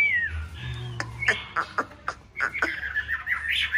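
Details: Chinese hwamei in a conservation aviary during breeding season, singing and displaying; slurred descending whistle, then sharp clicks and a burst of wavering warbled whistles, with low background hum.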